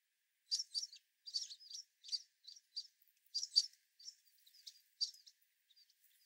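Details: American Tree Sparrows and White-throated Sparrows crowding a platform feeder during a winter storm, jostling to keep each other away; high, thin chips and twittery notes in small clusters, about a dozen bursts over six seconds.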